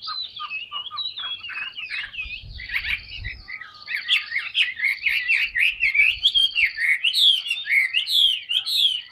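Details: A tame captive Chinese hwamei, big-bodied and very songful, pours out a continuous jumble of rich whistles, trills and slurs that grow louder and denser toward the end.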